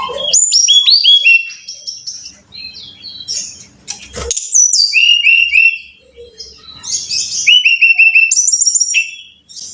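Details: Brown-chested jungle flycatcher song used as a training recording to get caged birds singing: loud, high, sweet whistled phrases of descending slurred notes, with pauses between bursts and a sharp click midway.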